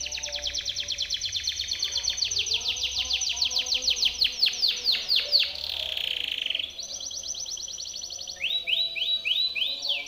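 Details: Canary of the Timbrado breed singing a training song for other canaries; long sequence of rapid high downward sweeps, a short sustained buzz, a fast roll, and finally spaced rising notes.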